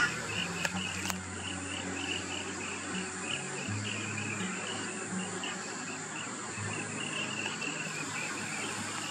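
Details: Wild rainbow bee-eater feeding in Australia in the afternoon or sunset, giving quick rolling trilled notes in a long regular run, with a brief click early on and a constant low hum behind.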